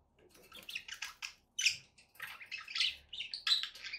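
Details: Pet budgerigars, more than one, chirping and chattering: bursts of scratchy, buzzy warbles and short squawks, energy mostly high-pitched, coming in irregular clusters with brief pauses.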